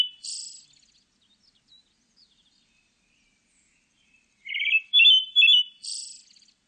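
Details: Song of a pale thrush: opens with the tail of a hissy high note, then a pause before a new phrase of rough, slightly trilled whistles closing with a buzzy, hissing flourish.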